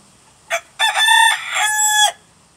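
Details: A rooster of unknown breed gives one loud crow: a short opening note, then a long harsh, strained cry held for over a second before cutting off.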